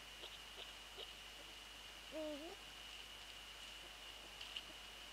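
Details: Night recording by the nest, 13 January 2014, around a Eurasian eagle-owl prey transfer: one short, bent, tonal call near the middle, with scattered light clicks before and after over steady hiss.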